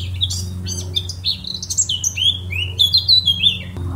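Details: Loud, clear song of a Eurasian blackcap (Sylvia atricapilla): lively, rapidly changing fluty whistles and twitters that sweep up and down in pitch, over a faint low hum.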